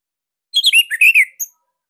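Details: Loud, tight phrase from a caged Bali orange-headed thrush, used as a master to teach other birds; about a second of linked slurred whistles dipping and rising, ending in a thin high note.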